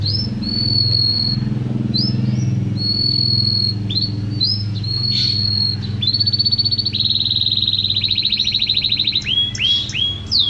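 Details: Canary song with drawn-out steady whistles and short notes, building to a long rapid buzzing trill, then quick downward-swept notes; a low hum runs underneath throughout.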